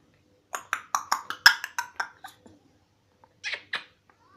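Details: Twelve-month-old African grey parrot asking for a peanut indoors: a run of about ten short, harsh, broadband squawks over two seconds, then a pause and two more raspy notes.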